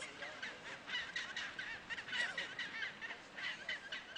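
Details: Chinstrap penguins at Hydrurga Rocks, Antarctica, December 2009, chorus in a dense colony with harsh, honking squawks overlapping in rapid, irregular bursts, with no quiet gaps between callers.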